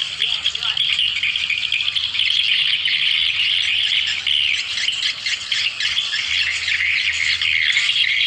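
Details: Continuous mass twittering of many swiftlets, played as a lure to gather the birds; thick overlapping high chirps and rasps with no pauses, level and unchanging across the stretch.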